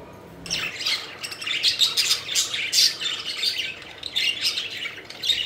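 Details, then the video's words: Several pet budgerigars chirping joyfully while playing and flying, a continuous dense chatter of buzzy, scratchy high chirps and warbles overlapping throughout, with no pauses. "Budgies Having Fun: Playful Birds Flying and Chirping Joyfully"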